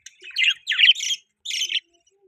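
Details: Budgerigar giving a few short, scratchy, warbled chirps in two quick bursts, then quiet.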